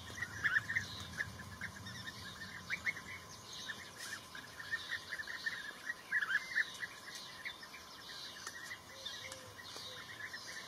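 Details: Blue-tailed bee-eater giving quick, sharp chirped notes in loose irregular runs, louder early on and again around six seconds, with soft background hiss throughout.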